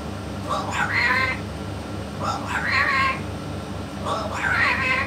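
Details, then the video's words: Talking yellow-naped amazon with a parrot expert repeats one nasal, meow-like harmonic phrase three times, roughly every two seconds, each starting low and sweeping upward, steady hum underneath. "ببغاء الامزون اليلوناب الملك يتكلم"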